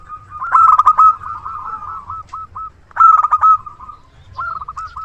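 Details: Big-voiced local zebra dove kept as a dependable decoy to lure others: two loud, choppy coo bursts, each trailing into a softer, rolling, purring string of coos.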